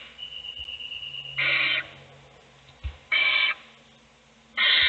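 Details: Owl nest box scene of an adult feeding one chick while the siblings sleep. A thin steady whistle leads into three rasping, hissed bursts, with light thumps in between.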